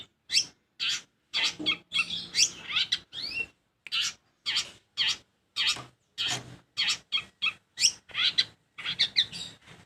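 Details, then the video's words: Long-tailed shrike in rapid, scratchy chatter: dense runs of short rasping notes, some clustered and some spaced, continuing with hardly a break. "Ocehan Burung Cendet"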